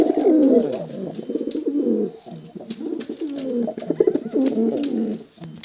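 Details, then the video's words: Male and female contest pigeons cooing almost without a break. Dense, overlapping low rolling coos form a steady throaty warble, with brief pauses and soft clicking in the background. "Suara Bekuran Burung Merpati Lomba Hutan Dara"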